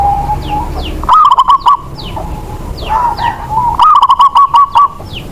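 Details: Local zebra dove from Indonesia, kept to coax quiet doves into song, sings two phrases of a rising coo breaking into a long run of fast, bouncing notes, with thin high chirps from other birds in between.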